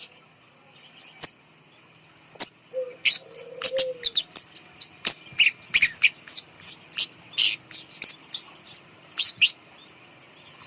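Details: Kemade bird hung above to lure silent birds into song delivers a long series of quick, very high chirps, clustered and repeated roughly every half second, with a brief low whistle early on.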